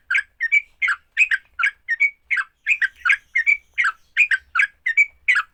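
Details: Sooty-headed bulbul in fighting song, meant to spur other bulbuls into singing. Paired chattery notes alternate with short clear whistles in a bouncy, uneven rhythm over five seconds.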